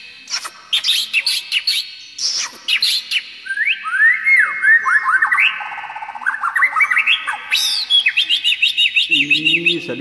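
White-rumped shama singing a rich, varied medley of clear whistles, sweeping slurs and rapid chattering trills, phrases tumbling over one another; a brief low murmur near the end.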